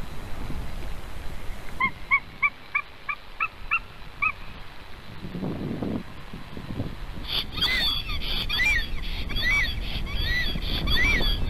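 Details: Male Black Stork at a nest in Hungary, 15 March 2019 at 12:30, excited and nodding his head after the female left, defending the nest as another stork flies by: about eight short, evenly spaced harmonic notes, then rumbling noise and high sweeping tones.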